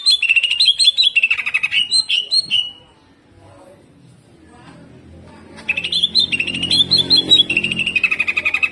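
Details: Greater green leafbird, jamtrok style with 'tembakan kasar' rough shots: dense rattling strings of buzzy notes, a quiet break, then a long fast warbling run with faint low background hum.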